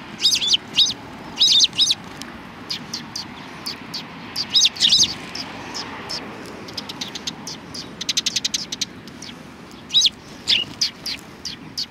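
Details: Several sparrows at a Tenmangu shrine, recorded on 31 March 2020, giving bright, clipped chirps in quick bursts and short trills, some calls doubled or tripled, over a low rumble of distant traffic.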